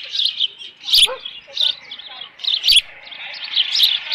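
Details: Osprey calling at the nest in mid-June 2018, late morning, with leftover fish present; bursts of thin, high chirps repeated rapidly, pausing briefly between groups, and two low knocks from activity on the nest.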